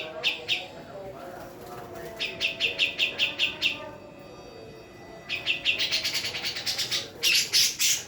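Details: Female black-throated laughingthrush of the Javan form singing bright, rapid bursts of evenly repeated chirping notes, each burst about a second long, separated by short pauses, with faint background hiss.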